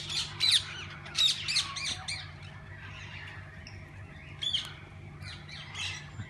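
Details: Mixed parakeets in a walk-in aviary where visitors feed and hold them: a few sharp squawking bursts at the start, then softer scattered chirps and chatter from the flock, with a low hum throughout.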